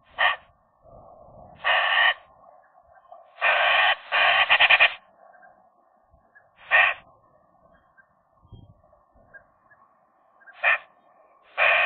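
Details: Eurasian magpies flirting and voicing inside the nest in January, a young pair with a newly arrived female; loud harsh rasping bursts, some long and doubled, separated by quieter humming warbling and gaps.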